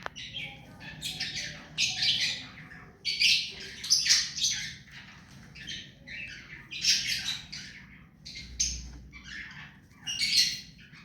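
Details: Hand-tame rose-ringed parakeet keeping up a long series of harsh, noisy squawks and chatter in uneven bursts every second or so.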